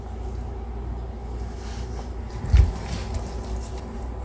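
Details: Low rumbling background with a brief thump and clatter midway, no animal voice heard.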